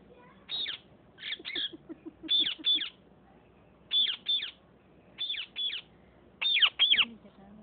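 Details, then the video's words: Fighting parrots give harsh, grating screeches, mostly in quick doubled pairs, about five bursts over several seconds with short pauses between. Faint lower chatter sits underneath. "Sindhi Speaking parrots.fighting"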